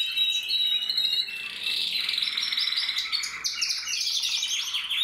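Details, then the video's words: Singing male canary, 15 November 2024, delivers an unbroken stream of fast rolling trills and sharp chirps, high-pitched and bright, shifting between tours with little pause. "Kanarienvogel singt"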